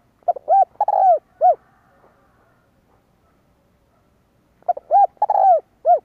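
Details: Spotted dove, 'kích bổi' style for stirring up decoy birds: two mellow cooing phrases, each with quick short notes, a long downslurred croo and an ending coo, separated by about three seconds of quiet.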